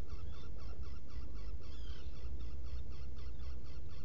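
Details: Black Guillemot burrow at Seal Island NWR, Maine, in the early hours of 20 June 2018. Steady chain of clipped, harmonic notes repeated several times a second, with a thin rising whistle near two seconds, set against a heavy low hum.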